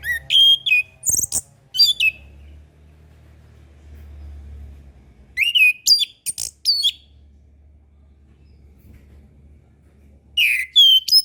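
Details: An orange-headed thrush sings on a master recording for young birds learning to sing and birds silent after moulting. Three separated bursts of rich whistled phrases with chips and slurred notes, low hum between them.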